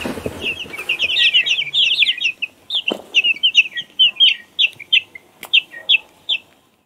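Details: High peeps from a baby chick: dense and hurried at first, then slowing to single evenly spaced chirps about twice a second, following a short rustle at the start.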